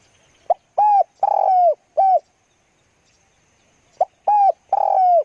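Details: Spotted dove kept as a decoy bird for trapping, cooing loudly at close range: two phrases, each a brief lead-in note followed by three low, hollow coos with the middle one drawn out longest, separated by a pause.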